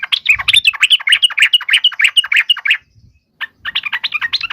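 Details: Yellow-vented bulbul giving a fighting song used to provoke other bulbuls into answering: fast bubbly chattering phrases of short warbled notes, a brief pause near three seconds, then the chatter resumes.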